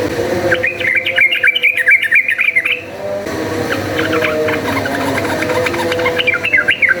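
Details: Yellow-vented bulbul in fast fighting song, used as a lure: a busy rattling burst of jumbled notes, then softer chatter and a final burst, over steady low tonal humming in the background.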